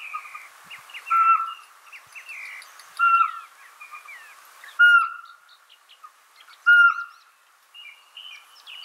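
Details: Owl whistles, clear and evenly pitched, repeating about every two seconds, with dense twittering and short chirps from other birds filling the gaps.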